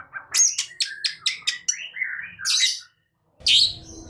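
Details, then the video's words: Long-tailed shrike in agitated gacor nembak singing, a tumble of high chirps and scratchy notes sliding into a lower warble, then a hissing burst, a pause and a final harsh squawk. "Cendet Malas Bunyi Seketika Naik Emosi Gacor Nembak"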